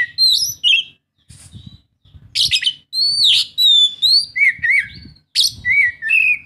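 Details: Oriental magpie-robin song used to prompt a reluctant bird to sing: loud varied phrases of rich whistles, sweeping slurs and harsh buzzy notes, broken by brief pauses; faint low rumble behind.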